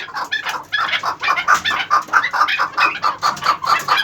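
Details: Chukar partridge, 11 months old, giving a fast series of short clucking notes near the same mid pitch, about two per second and roughly even, with a rough, noisy edge to each note.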